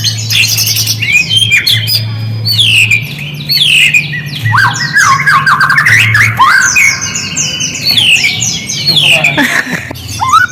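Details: White-rumped shama song used as a lure to make silent shamas respond: a rich, fast run of varied whistles, slurred sweeps and sharp chirps that rise and fall without pause, over a steady low hum.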